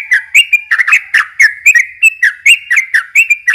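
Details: [4, 'Lure song of a yellow-vented bulbul for young birds: a fast, continuous string of short whistled notes sliding up and down, packed closely together throughout.']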